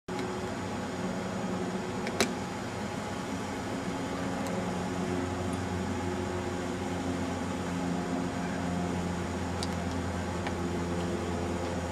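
A steady mechanical hum with low droning tones and a couple of sharp clicks, like a fan or air conditioner running indoors.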